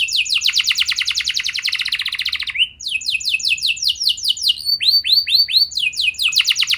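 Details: Canary song played to spur young canaries to sing: a long, rapid, rolling trill of almost three seconds, followed by varied repeated sweeping notes and short twittering runs.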